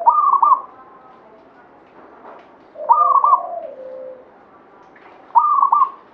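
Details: Local zebra dove, Banyumili katuranggan type, singing actively. It gives three loud, stuttering coo phrases about two and a half seconds apart, with a lower, drawn-out coo after the second.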